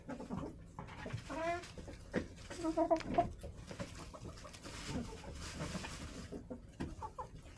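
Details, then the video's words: Backyard chickens in a snowy, below-freezing winter coop give irregular clucks and a short burst of rapid, stuttering notes, with scratching and bedding rustle between calls. "chicken noises, hens clucking"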